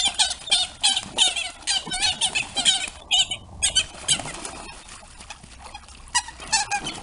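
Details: Three Eurasian coot chicks venture into the territory of an aggressive adult, provoking a fight; high, thin, squeaky notes come in quick, uneven bursts, about three per second, with a short gap midway.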